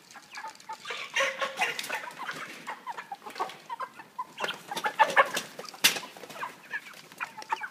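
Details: Caged 3 kg broiler chickens at a pan feeder on a plastic floor. Loud, busy clucking and chirping from many birds, with strong bursts of knocking and rattling from the feeder and cage.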